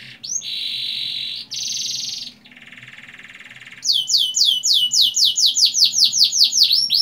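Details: Canary lure song meant to get young canaries singing: loud buzzy sustained trills, then a fast run of repeated sweeping notes, about one to two each second, over a faint low hum.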